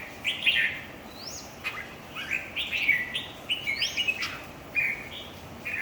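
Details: Bulbul song during a red-whiskered bulbul singing contest: rapid chirpy warbled phrases with sharp upward-sweeping whistles, delivered in closely spaced bursts over light background noise.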